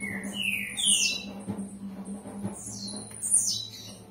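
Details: Blue-black grassquit singing in the "campainha" style: short buzzy phrases sweeping sharply upward into high thin notes, given in two bursts about two seconds apart, over a steady low hum.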